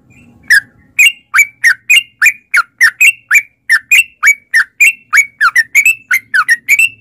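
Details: Lure song of a sooty-headed bulbul meant to set caged birds singing: a long even series of crisp, slurred chirps, about three per second, steadily repeated.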